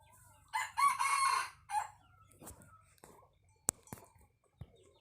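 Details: Red junglefowl crowing: one loud, harsh, strongly harmonic crow lasting about a second, then a short trailing note, followed by scattered clicks and knocks against an otherwise quiet background.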